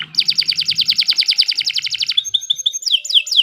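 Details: Canary singing a long, loud song: a fast run of repeated high chirps, then a short series of bright notes, ending in a few sweeping downward whistles.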